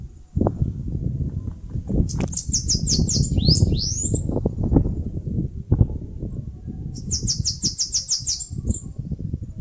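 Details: Two bouts from a Bananaquit, nest-building in mandacaru cactus in Brazil's Nordeste: each a fast series of high, thin ticking notes, the first ending in sharp rising slurs, with heavy low rumble throughout.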